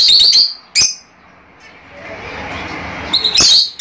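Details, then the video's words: Fischer's lovebirds kept as cage birds, chirping to encourage pairing and mating: two bursts of shrill, high chirps with a quieter gap of soft rustling between them. "تغريد وتحفيز لتزاوج عصافير الفيشر"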